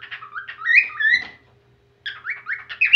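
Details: Singing again, a whiteface cockatiel whistles a string of rising and falling slurred notes with a squeaky break in the middle, pauses briefly, then resumes with more upward-sweeping whistles.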